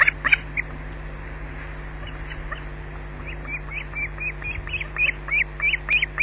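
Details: Osprey at a Scottish nest on a wildlife camera, squawking during an attack at the nest: after a faint, muffled start, a run of sharp, high chirped squawks repeats about four times a second, with steady low camera hum underneath.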